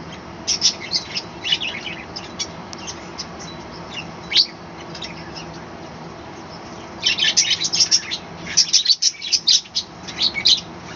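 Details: Captive budgerigars in a small balcony colony in the morning, chattering busily: rapid high squeaky chirps and warbles, sparse at first, then a dense burst of overlapping twittering calls in the second half.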